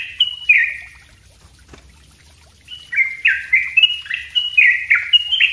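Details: Sooty-headed bulbul performing a busy song for teaching other birds: two whistled notes, a quiet pause with a single click, then a quick run of about nine rising and falling whistles.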